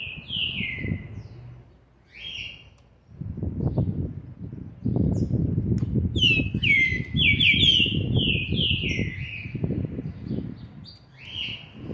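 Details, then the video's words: A brabo green-winged saltator chick, seven months and twenty days old, 13 November 2020, sings short clear whistled phrases, then a longer run of slurred falling notes, over pulsing low background noise. "trinca ferro ( BRABO ) FILHOTE DE SETE MESES E 20 DIAS JÁ MOSTRANDO SUA GENÉTICA"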